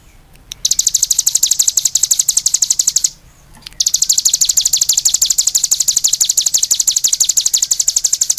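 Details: Cigun bird singing vigorously. After a few opening clicks, long trains of shrill, rapidly repeated high chips run on, broken once by a short gap.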